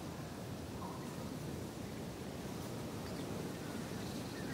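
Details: Steady outdoor wind rumble and broadband hiss in the British countryside, with no animal voices heard.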